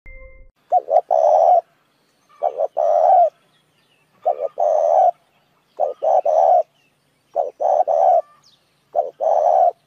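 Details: Spotted dove calling as a lure for other doves: low, hoarse cooing phrases, each a couple of quick short notes then a longer drawn-out coo, repeated about every one and a half to two seconds in quiet surroundings.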